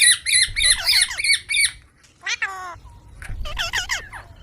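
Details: Baby green Indian parrot, desi bird, calling in a series of harsh, buzzy squawks with rich overtones, several quick bursts, then a short gap and a further cluster of rasping notes.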